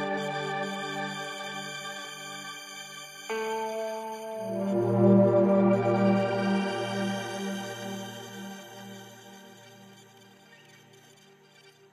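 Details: Calm ambient music with sustained tones and a steady low pulse; no animal voice can be picked out.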